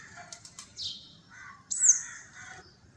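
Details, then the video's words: Sparrows, apparently in Goa, chirping with short bright high notes scattered across a few seconds, one louder sharp chirp near the end, over faint background hum. "Chirpy sounds of sparrows"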